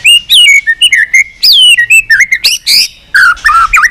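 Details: White-rumped shama, a trained bird stirred up to sing hard with tail flicking, giving a varied many-voiced song: loud clear whistles sliding up and down, quick sharp notes, and bright high bursts in rapid succession.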